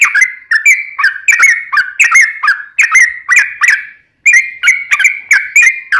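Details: Yellow-vented bulbul in lively 'ropel panjang' fighting song, used as a lure so other bulbuls answer: rapid bursts of bubbly, slurred whistled notes, each dipping and rising, packed in quick phrases with a short pause near the end.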